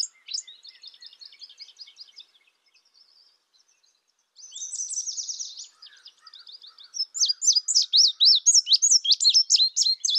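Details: Indigo bunting singing: a run of soft buzzy notes, a loud rattling trill after a pause, then bright sharp chirps given in quick pairs.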